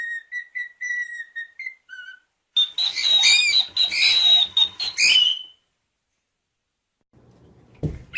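A cockatiel gives a run of clear whistled notes, then a burst of harsh, buzzy chatter.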